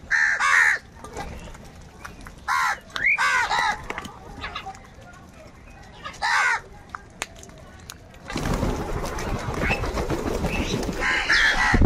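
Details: Crows calling in a large gathering, squabbling over food: short bursts of harsh, harmonic caws near the start, around two to four seconds and again at six seconds, then a loud broad rushing noise takes over for the last few seconds.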